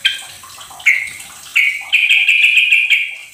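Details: Sooty-headed bulbul song used as a lure to get a silent bird singing: short bubbly whistled notes, then a sustained warbling run of rapid, slightly wavering phrases in the second half, with faint background hiss.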